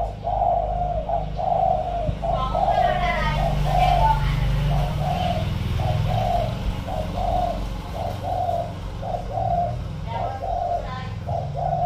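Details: Long run of cooing from a caged spotted dove decoy with a 'giọng thổ' style voice: many short-long coo pairs about once a second, briefly overlapped by a man's voice and low rumble.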